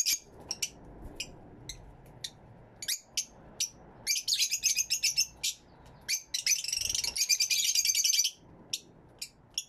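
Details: Fischer's lovebirds in an aviary with many lovebirds, recorded with two external microphones: sharp, shrill chirps with two bursts of rapid, scratchy chattering, several birds seeming to call at once.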